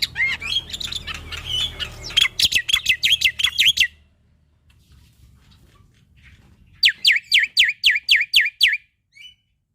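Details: Black-winged starling male's varied song, played to train young starlings and rouse lazy ones: a wavering warbled run, then about ten loud sharp descending notes, a silence, and a second rapid series of falling whistles.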